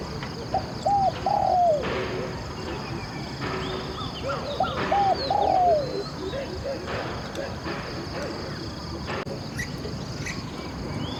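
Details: A spotted dove used as a decoy for wild doves repeats its phrase twice, about four seconds apart. Each phrase is a quick doubled coo followed by a drawn-out, slightly falling croon. Faint voices and rural background noise come between the phrases.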